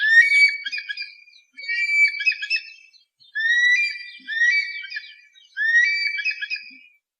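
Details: Eagle call played to scare away pests: high, ringing whistled phrases, each opening with an upslurred note and then breaking into a stuttering run, repeated roughly every one to two seconds with brief silences between.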